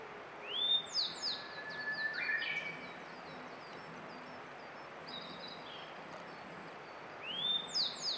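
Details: Grey bunting singing, May 2022, Canon EOS R5: two whistled phrases, each a rising clear note followed by short falling high notes, about seven seconds apart; other birds chirp and trill in between.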